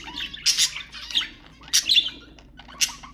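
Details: Budgerigar calls used to stimulate budgies, four separate loud buzzy squawking chirps with brief rising whistles, spaced by quieter gaps, over a low steady hum.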